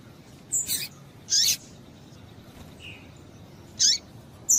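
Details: Calls of a female double-collared seedeater used to stimulate a male: a stuttered double chirp, a long harsh high note, a soft lower whistle, then a falling chirp and a thin whistle.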